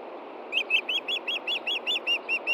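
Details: Osprey at a nest in Montana on 23 June 2013 around 8 p.m., waiting for fish after the chicks were fed: a series of about eleven sharp, rising-and-falling whistled chirps, roughly five per second, over steady background hum.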